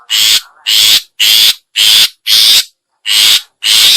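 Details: Long-tailed shrike lure call for attracting other shrikes: loud, harsh, rasping bursts of about half a second, repeated roughly twice a second with short silent gaps, seven bursts in total.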